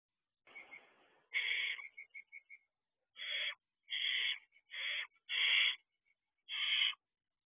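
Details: Barn owl owlets at a nest box at night, around 3:26 am in June; harsh rasping hisses about half a second long repeated every second or so, with short rapid clicking notes between them.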